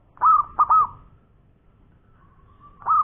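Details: Local zebra dove perkutut in the koar-koar style: three loud, quick cooing notes, a faint drawn-out tone, then another loud coo starting at the end.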